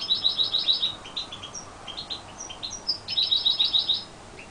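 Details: A first-year European goldfinch hybrid sings strongly, giving bright, high twittering phrases with quick tinkling trills, pausing briefly and then resuming, in an otherwise quiet room.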